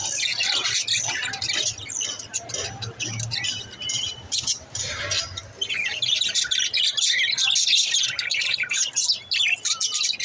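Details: Several small budgies chattering, a continuous mix of warbles, squeaky chirps and scratchy notes over ten seconds, with a faint low hum beneath.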